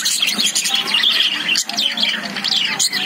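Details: Caged lovebirds call in a busy overlapping stream of sharp, rising and falling chirps and raspy squawks, with a short dip near the middle.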